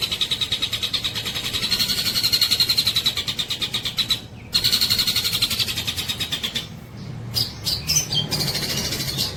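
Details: Long-tailed shrike giving a fast, rattling series of harsh high notes repeated about four times a second, broken by brief gaps, ending in scattered squeaky notes over a low background hum.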